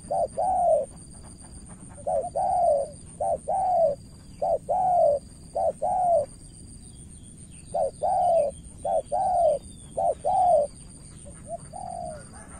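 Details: Cà Mau spotted dove acting as a decoy and striving against a seasoned opponent. Runs of short-long coo pairs come in quick succession, pause midway, then resume. A steady high-pitched whine continues throughout.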